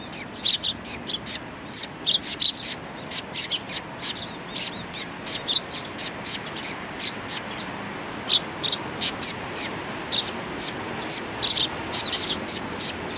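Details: Sparrows of the neighbouring flock at a Tenmangu shrine, Japan, recorded 14 March 2019: a long run of rapid, bright chirps from several birds, nearly continuous, over light background noise.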